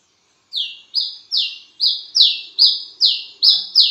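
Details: Midnight calling of a wiceh bird: a steady series of nine sharp, high whistled notes, each falling slightly, repeated at a brisk even pace of roughly two per second.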